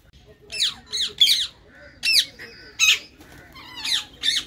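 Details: Green Indian ringneck parakeets in a colony give harsh, loud screeching squawks, single and in quick pairs, repeated every half second to a second, with faint softer calls between.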